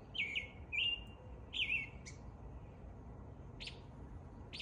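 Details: American robin in spring at dawn, giving three warbled whistled phrases, then shorter higher squeaky notes spaced farther apart, with low background noise.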